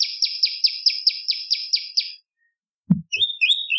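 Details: Bar-winged prinia singing as a lure for other songbirds. A rapid string of buzzy, high-pitched notes at roughly four per second stops abruptly, followed by a soft low knock and a few thin, higher chirps.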